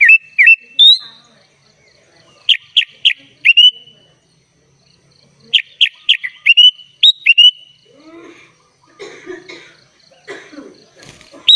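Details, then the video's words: Sooty-headed bulbul in 'gacor full isian' song: short whistled slurs and triple clicking notes in repeated groups. Fainter, scratchy rustling follows in the later seconds. "SUARA BURUNG KUTILANG GACOR FULL ISIAN"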